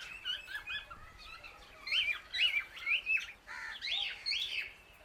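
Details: Calling loudly to other birds, an Indian ringneck parakeet gives a steady stream of bright, slurred chirps, roughly two per second, rising and falling in pitch over a faint low rumble.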